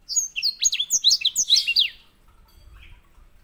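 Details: White-rumped seedeater master song for training canaries: a brisk phrase of high, sliding chirps and swoops lasting about two seconds, then faint background rumble.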